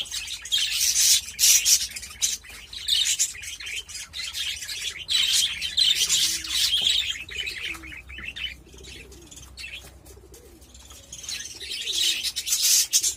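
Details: Budgerigars kept as pets, recorded while mating: rapid, high, scratchy chatter that eases off in the middle and then builds again, with faint low warbling beneath.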